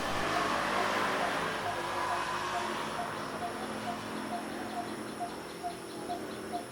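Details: A Coppersmith barbet calls in Phu Sing district, Sisaket, Thailand, with a steady, mellow 'tuk-tuk-tuk' of about two notes per second on one pitch. It keeps calling continuously, ignoring the rumble of passing traffic.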